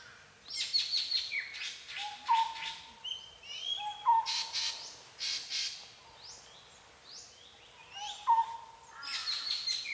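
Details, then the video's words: Mixed forest birds in Sisaket, Thailand, singing in bursts: dense high buzzy chatter and trills with a sharp whistled note recurring about every two seconds. "Singing Bird - Forest Birdsong"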